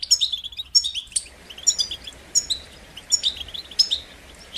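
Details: European goldfinch song made of short, sharp, high chirpy phrases repeated about every three-quarters of a second, each a quick twittering flourish, used to encourage goldfinches to sing.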